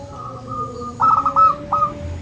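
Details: Local zebra dove, for stirring quiet birds into song, gives a brief run of four bubbly coo notes followed by one isolated note, above a steady low tone and hum.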